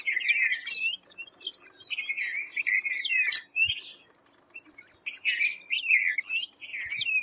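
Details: White-browed fantail calling busily: rapid tumbling whistles and chirps, wavering up and down, nearly continuous with short gaps, against a constant high hum.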